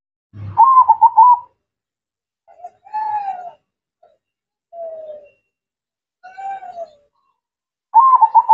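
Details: Zebra dove (perkutut) in active song: trilled, bubbling coo phrases open and close the passage, with softer, drawn-out downslurred coos between them and a brief low thump near the start.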